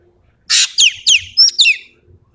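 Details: Sumatran ekek keling giving a full tembakan phrase: a broad grating burst, then four rapid whistled notes, each sliding downward, the last slightly buzzy; faint low background rumble.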